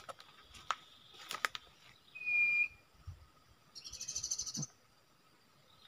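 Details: Common iora at a customary nesting site where trapping is done: a short, clear whistle, then a buzzy, rapid rattling trill of about a second, with clicks and a steady insect hum around it.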